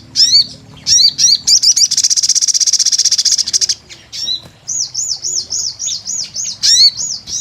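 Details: Energetic sogon (sunbird) song: sharp high chirps, then a long rapid buzzing trill of about two seconds, followed by a run of looping, wavering whistled notes repeated several times a second.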